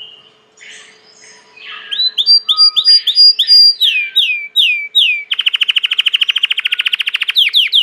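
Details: Belgian canary, a domestic canary, singing: a series of loud downward-sweeping whistled notes, then a fast buzzy trill of rapidly repeated notes, ending in more sharp downslurred notes.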